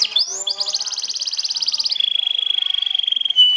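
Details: Champion 'sobek' canary trilling to provoke and overpower rivals: a high, rapid buzzy trill held for about a second and a half, then a long steady whistled note, ending in a brief sharp chirp.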